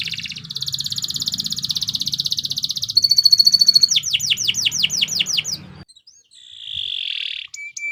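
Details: Canary giving long 'gacor' song for tutoring other birds: a fast rolling trill, a quicker tight roll, then a run of downward sweeps, a pause, a nasal drawn-out note and a few thin clear whistles, over a faint low hum.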